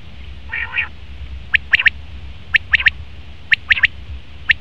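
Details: A male common quail gives a short nasal, mewing note, then a run of sharp, whip-like three-note phrases about once a second, with low hum beneath.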